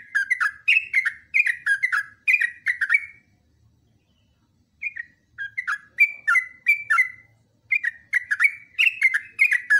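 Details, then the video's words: Yellow-vented bulbul training song: a fast string of falling whistled notes, a silent gap of about two seconds, then the lively phrases resume and continue to the end. "TRUCUKAN GACOR ROPELAN PANJANG"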